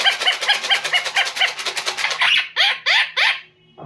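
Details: Pet green parrot imitating laughter: a quick series of short harmonic ha-ha notes, then several louder downward-sweeping squawky cries ending abruptly.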